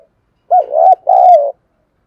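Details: Spotted dove, a lure bird for wild doves, in the 'thúc gù' deep-voiced style: one low, wavering hoarse coo quickly followed by a second, longer level coo that falls slightly at its end.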